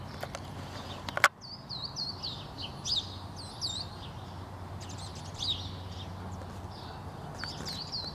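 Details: High, slurred chip calls repeated in clusters from Verdins, a pair perched in a front-yard Palo Verde tree in Phoenix, Arizona, one morning on February 7, 2014; a loud thump early on, low rumbling hum throughout.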